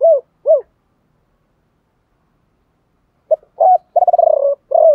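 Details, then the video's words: Spotted dove coos used to get captive birds cooing: two separate soft down-curved hoots, a pause, then a stuttered phrase of short notes, a fluttering trill and a closing drawn-out coo. "tiếng chim cu gáy kích bổi nhanh nổi gù"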